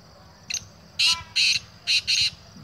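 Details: A wild Black Francolin perched on a bamboo stand at a university research farm in Rawalpindi, near an olive orchard holding a second francolin, gives a loud, harsh phrase: one short clipped note, then four grating, rasping notes, over a faint low rumble.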